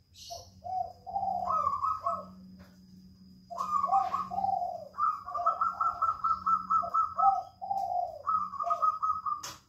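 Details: Spotted dove calling actively in a jungle fowl breeding cage. Low coos mix with rapid, higher repeated staccato notes in several bursts, over a low humming background.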